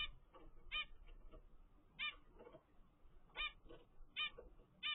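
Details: A 13-day-old captive-bred zebra finch chick from its parents' first clutch gives short, harsh, nasal calls in bursts, about five over five seconds, over a faint low background hum.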